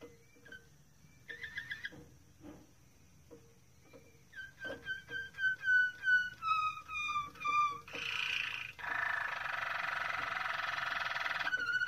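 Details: Moroccan Malinois canary singing softly: scattered quiet notes lead into a clear series of whistled tones that step downward, then a long, steady rolling trill.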